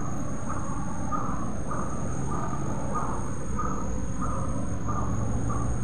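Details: At Bukit Batok nature park on 30 July 2022 at 7.51 am, a coppersmith barbet repeats a hollow, metallic 'tuk' about nine times, roughly every 0.6 seconds, over a steady low rumble and faint high whine.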